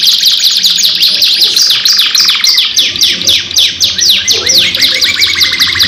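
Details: Canary singing a long 2-in-1 lure song used as pancingan: unbroken stream of bright, high chirps, quick descending whistles and rattling trills, a steady trill in the middle, sung without breaks over a faint low background hum.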